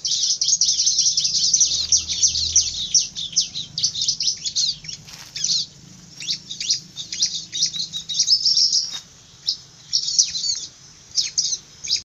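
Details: Bar-winged prinia described as fierce, starting with a dense, continuous burst of high scratchy chirping, then breaking into shorter clusters of sharp notes with gaps, one brief click midway.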